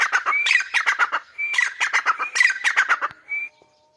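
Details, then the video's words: A grey francolin in its natural habitat in Pakistan gives loud, harsh, rapidly repeated grating notes with short ringing whistles between them, in quick rhythmic bursts ending on a higher whistled note. "Dakhni Teetar | Teetar Ki Awaz | Teetar Sound | Teetar Voice"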